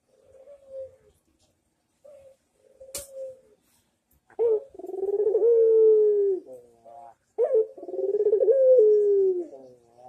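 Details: Barbary dove manggung coo used as a training master: faint short coos at first, a sharp click, then two long, loud, rolling coos about three seconds apart.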